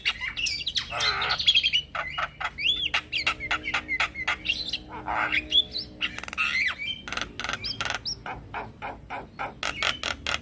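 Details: Calling male Javan myna, its voice used to lure other mynas and starlings to respond. The call mixes harsh squawks, buzzy rasps and brief whistles with dense clicking, and ends in rapid clicks.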